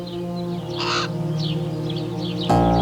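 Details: A pair of common ravens nesting at the grain terminal in Churchill, Manitoba, in the second week of June, with the female presumably incubating eggs; one raven gives a single short, harsh, hoarse croak over a steady low musical drone.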